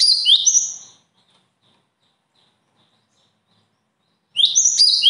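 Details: Bird with natural singing talent gives two short bursts of bright, high chirping twitters, each under a second, separated by about three seconds of silence.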